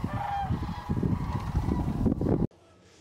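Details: Wintering Sandhill Cranes flying in and landing on a sunny morning of 31 December 2023 at Hiwassee Wildlife Refuge, Dayton, Tennessee, call in a dense chorus of rolling, trumpeting croaks that overlap for over two seconds, then cut off, over a low rumble.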